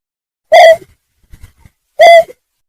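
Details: Greater painted-snipe lure call: two short, loud hooting notes about 1.5 seconds apart, with soft low knocks between them.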